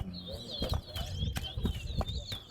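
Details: Seed finch (towa-towa) at a bird singing competition at Betterhope ground, singing a continuous, fast, high, rolling warbling twitter over murmuring people and crowd noise; this bird won the contest.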